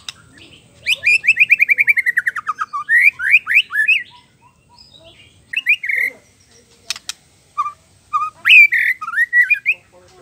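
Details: White-rumped shama in loud full song full of varied phrases: a fast run of about a dozen descending whistled notes, then rising slurred whistles, a sharp click, and further bright, rising and falling whistled phrases.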